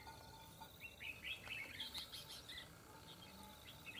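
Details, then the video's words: Red-whiskered bulbul used as a fighting decoy against a trapped rival: a burst of bright, warbled chirps and quick rising whistles in the middle, softer notes trailing off, over a low steady hum. "Bẫy Đấu Chào Mào"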